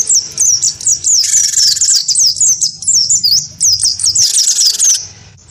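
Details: Gelatik batu, wingko type, sings hard in a fighting duel provoked by a white-eye. Dense high twittering chirps repeat, overlaid by two long raspy rattles, and it fades out at the end.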